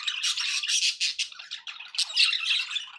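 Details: Pet budgerigars keep up continuous raspy chattering, a busy mix of harsh squawks and quick twittering notes rising and falling in loudness.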